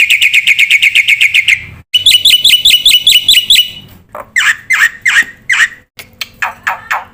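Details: Black-winged myna in a masteran recording used to spur young cage birds to sing: a quick string of ringing chirps, then buzzy high notes repeated rapidly, then a series of harsh, falling squawky notes spaced about half a second apart.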